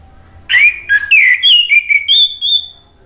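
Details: Male orange-headed thrush singing as a lure and therapy recording: a few loud, rich whistled notes, some swooping up, others held, ending in a thin high whistle, with a faint low hum behind.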